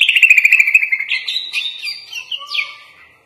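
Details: Kutilang (sooty-headed bulbul) gacor master song full of filler phrases: a rapid stuttering trill opens, then it breaks into varied warbled twists and a sharp upward sweep before trailing off.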